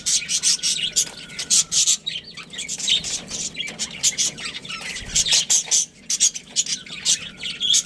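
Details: Budgerigars, a pet breeding pair, chattering continuously with rapid scratchy chirps and warbles in quick bursts, brief pauses between runs, and a faint steady whine in the background.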